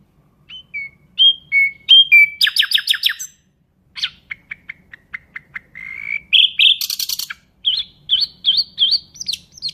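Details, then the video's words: Nightingale in full varied song. Whistled slurs lead into a rapid buzzy rattle, then a string of fast identical clicks, a rising whistle, a harsh burst, and bouncing repeated upslurs. "Nightingale bird singing Beautiful"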